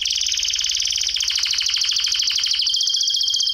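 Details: Canary delivering one continuous, very rapid rolling trill, high and steady throughout, dropping slightly in pitch near the end, with no other sounds.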